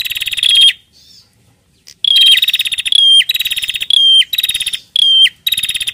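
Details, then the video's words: Female bar-winged prinia calling to the male, giving harsh, fast-ticking buzzy bursts with a clear whistled tip, roughly one each second after a brief pause near the start. "PRENJAK BETINA GACOR NARUNG JANTAN"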